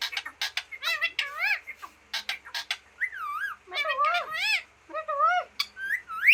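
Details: Green talking parrot chattering with quick clicky bursts and looping squawks that rise and fall, grouped in dense phrases separated by short pauses, finishing on a sharp rising note.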